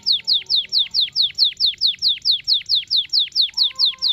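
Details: Canary singing a long rolling series, used to lure a young canary into learning its song: crisp downward-sweeping whistles repeated rapidly and evenly, around four per second, with a faint low tone near the end.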